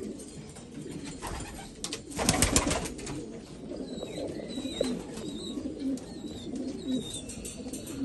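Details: Black Afghan pigeons from Afghanistan keep up a low, murmuring chorus of overlapping coos; a loud rustling burst breaks in midway, and thin high chirps from small birds are heard later.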